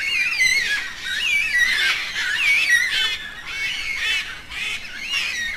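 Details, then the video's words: A group of yellow-tailed black cockatoos calls back and forth to communicate. Many slurred, nasal wails waver and bend up and down, overlapping almost continuously with short pauses between bursts. "Canto de Pássaros - Cacatua Fúnebre (Um dos cantos mais bonitos)"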